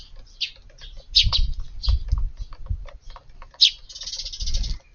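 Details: Sparrow flock in a garden at dusk on 9 June, young birds with a parent or two at their evening meal; rapid chirps and twitters, clustered notes near 1.2 and 3.6 seconds, then a buzzy trill, with thumping noises.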